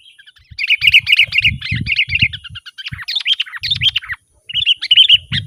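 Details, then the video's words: Sooty-headed bulbul song for luring wild birds and prompting caged birds to sing: rapid, busy chirping chatter with bright warbled notes, a brief pause near the end, then more chirps, with some low thumping noise. "Suara burung kutilang gacor Garuda full gacor dan ngeroll"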